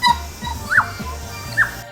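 Tui giving a few clear whistled notes, two of them quick rising-and-falling arcs, over a steady low hum.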